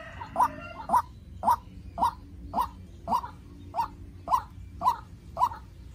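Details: White-breasted waterhen, young decoy in a heated face-off with a wild bird, delivering loud rhythmic grating notes about every half second, very steady and clear.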